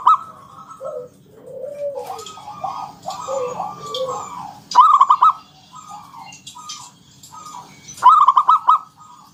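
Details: Ngalun-style song with a round 'kung' from a lively local zebra dove of wild origin, played to lure other doves into singing. Soft, wavering coos lead into two loud, quick rolling phrases about three seconds apart.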